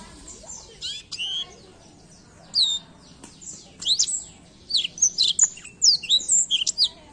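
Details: Black-throat song: bright, high whistled notes and quick sweeping slurs, delivered in short bursts that grow denser toward the end, with brief pauses between phrases and a faint low background hum.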